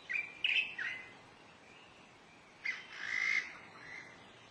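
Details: Black-necklaced scimitar babbler in July 2011 at Dagangshan, Taiwan, giving a few short clipped notes, a pause, then a louder drawn-out harsh squawk that trails off, with quiet background hiss.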